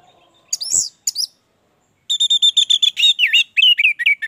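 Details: Energetic orange-headed thrush song in a lure recording meant to make birds sing: a few sharp high notes, then a fast run of repeated chirping notes, about four per second, ending in twisting whistled slurs.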